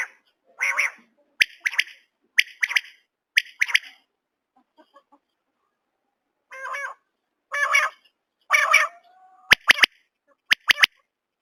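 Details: Common quail repeating sharp three-note phrases about once a second, then a pause followed by rougher, buzzier notes and a few clicks near the end.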